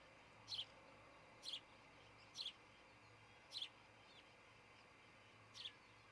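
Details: Nesting osprey pair's site at Charlo, Montana, camera recording from dawn on 26 June 2018; five thin, piercing chirps about a second apart, with a low steady hum underneath.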